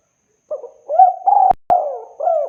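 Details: Clean recording of a spotted dove for use in luring. A run of soft, mellow coos is broken by two sharp clicks in the middle, then continues with a rising-falling coo and a final lower note.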